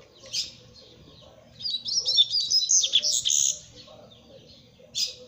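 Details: High chirp from a double-collared seedeater, then a fast, jumbled twittering song of warbled and buzzy notes for about two seconds, ending with a single loud chirp; a low background hum runs throughout.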